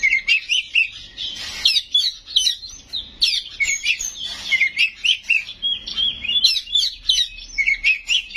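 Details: Oriental magpie-robin (kacer) singing a loud 'gacor' song full of 'isian' mimicry and 'nembak' shots: dense, rapidly changing chirps, slurred whistles and short trills, repeated without pause.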